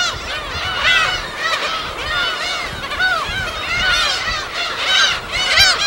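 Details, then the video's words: On an uninhabited West Sea island, a gull colony keeps up a ceaseless din of overlapping arched, plaintive calls, with a few louder cries standing out near the middle and end. "파도소리와 갈매기소리"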